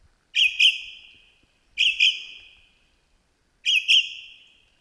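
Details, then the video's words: Australian lyrebird in the bush mimicking other birds like crow, kookaburra and magpies; three loud ringing double notes, each with a quick doubled onset and a slowly fading tail, spaced about one and a half seconds apart in quiet surroundings. "The Australian Lyrebird singing in the bush"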